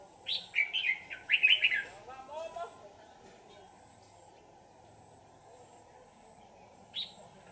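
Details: Red-whiskered bulbul caught in a trap and later released; a loud run of chirpy warbled notes for about a second and a half, followed by a man's brief speech and one last short chirp.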